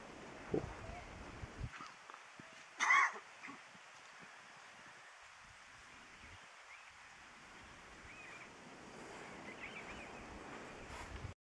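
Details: A White-capped Tanager in Jardín, Western Andes, Colombia, in November, gives a single loud, harsh, screechy call about three seconds in, then quiet forest background with faint distant chirps.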